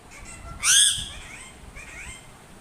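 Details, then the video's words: A parrot gives one loud, harsh screech of about half a second, followed by a fainter, rising squawk about a second later over quiet background hiss. "parrots sounds"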